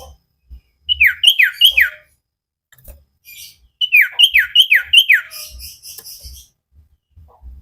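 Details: Common iora song from a cage-bird training recording: two quick series of down-slurred whistled notes, three then four, separated by a pause with light clicking sounds.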